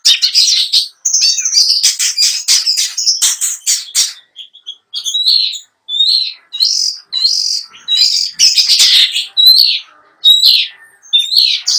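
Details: Long-tailed shrike with a full 'isian' repertoire, a trophy-winning competition bird: dense scratchy chatter at first, then a string of short separate upslurred whistles and chirps, with brief gaps between them.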